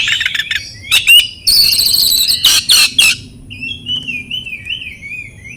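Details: Lure recording of oriental magpie-robin song for birds that have stopped singing. A loud, dense tangle of harsh rasping notes and ringing whistles gives way to a long, wavering, warbled whistle.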